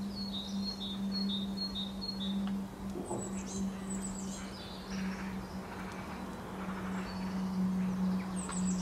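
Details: Common linnet song: high, thin twittering phrases of quick chirps and short trills, scattered across the recording, over a loud, steady low electrical hum.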